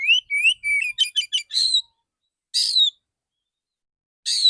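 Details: Male Oriental magpie-robin singing in a clear, open voice with 'dor dor' shot-like notes: rising whistles run into a rapid series of sharp clicking notes, then two harsh buzzy bursts separated by pauses.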